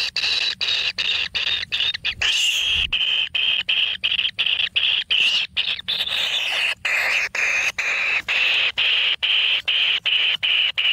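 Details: Lone kingfisher nestling fed a whole frog in its nest gives a continuous grating, buzzy begging rasp broken by short regular pauses, with faint scraping near the start.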